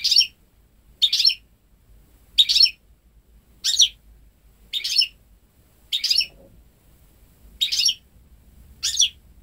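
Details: Goldfinch × canary hybrid at ten months, hatched May 2013 and bred at home, delivering pure goldfinch phrases; eight crisp chirping bursts repeated roughly every second in a steady run.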